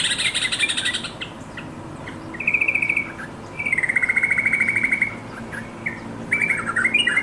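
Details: Yellow-vented bulbul calling companions. Fast, rattling chatter comes in several bursts. A loud, higher cluster opens the sequence, followed by longer, even trills and a final rising flurry.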